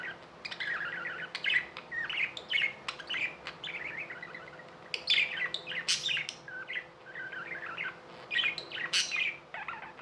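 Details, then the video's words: Pet budgerigars warbling and chirping, a busy stream of short whistled notes, trills and clicks packed closely together, several birds overlapping with brief pauses, under a faint steady low hum. "Budgies | Talking | Singing | Chirping sounds"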